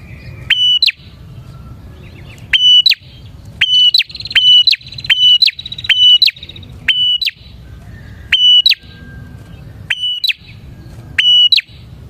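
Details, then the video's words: Bar-winged prinia song used to lure other prinias: sharp click followed by a flat high whistle and a quick rising flick, repeated roughly every second or two in a long run over faint low rumble. "suara burung prenjak gacor ini 💯% ampuh untuk pikat prenjak dan pancingan prenjak"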